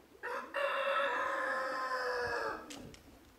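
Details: Cranes calling: a single long, brassy, bugling note of roughly two seconds, rich in overtones and gently falling toward its close, followed by a couple of brief clicks.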